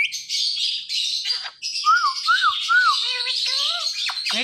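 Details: Talking ringneck parrot screeching: continuous harsh, raspy squawks run throughout, broken by a series of short arched, bending notes repeated about every half second midway.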